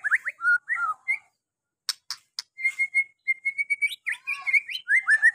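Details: Song of a white-rumped shama played as a lure so that a shy-singing shama unloads its repertoire: short whistled phrases, sharp clicks, a flat sustained whistle, then rapid up-and-down whistled notes.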